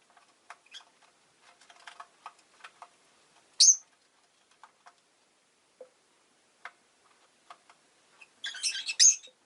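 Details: Rosy-faced lovebirds in a cage beside a window, five birds, on a winter day, make soft scattered clicks and ticks, one sharp high chirp midway, and a dense, noisy burst of chattering squeaks near the end.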